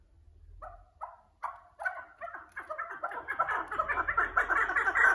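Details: Partridge giving a few spaced, hoarse notes that quickly speed up into a dense, loud, rhythmic chatter of clucks.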